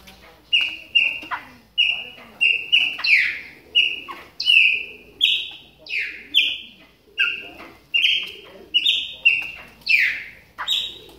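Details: Chopi blackbird in moult, warming up with a long, lively sequence of clear whistles, roughly one or two per second, alternating flat notes with higher swooping ones and occasional harsher rasps.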